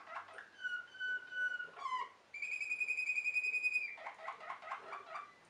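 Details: Bred song canary singing long, steady, pure whistled notes, first lower then higher, between brief chattering bits, ending in a quick run of repeated clipped notes.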